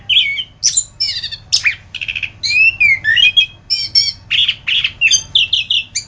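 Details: Orange-headed thrush song for masteran training: lively mix of warbled whistles, rolling trills and scratchy notes in short repeated bursts with brief gaps, over a soft low hum.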